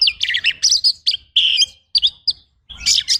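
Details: Kacer training song with rough 'tembakan' bursts: grouped harsh, chattery phrases of high notes, separated by short pauses, slightly blurred and rasping.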